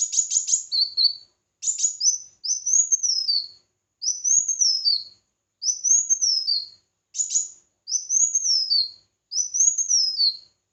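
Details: Red-whiskered bulbul singing in competition: a rapid high flourish, then a steady series of similar clear whistled phrases, each rising then slurring down, repeated roughly every second.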